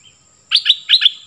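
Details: Cream-vented Bulbul, a decoy bird, with a short, loud bubbling snatch of bright, rolling notes following a quiet start.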